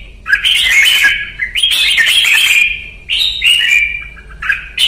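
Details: Vietnamese red-whiskered bulbul (chào mào) performing luyện ché training song: rich, chattering whistled phrases run almost continuously, with brief breaks between bursts of about a second each.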